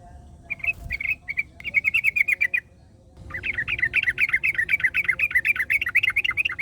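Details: In the wild, a yellow-vented bulbul sings and another answers: short chirpy phrases give way to a sustained, rolling chatter of quick wavering notes lasting over three seconds.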